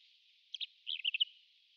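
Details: Pied wheatear, a rare passage migrant recorded on a Japanese island, giving a short cluster of high chattering and warbled notes lasting under a second, on a band-limited quiet background.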